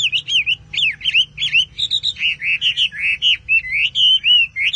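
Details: Chinese Hwamei singing richly and continuously, loud fluid whistles rising and falling, mixed with quick twittering notes in a varied, unbroken flow.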